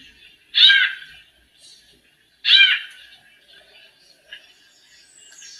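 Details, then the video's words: A female White-necked Thrush warming up and singing in male fashion gives two strong, nasal, harmonic bursts about two seconds apart, followed by faint chips and a thin high whistle. "ESQUENTANDO SABIÁ COLEIRA - FÊMEA MACHEANDO"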